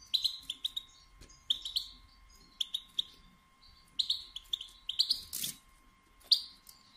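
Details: European goldfinch female calling to rouse males into song and mating: rapid high twittering chirps in short bursts, with a faint steady hum and a brief noise burst.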